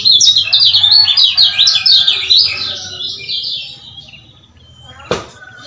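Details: Male lemon-bellied white-eye from Lombok, played to excite quiet males: a loud, quick sequence of high sawtooth chirps for three seconds fades out, followed by a single sharp click.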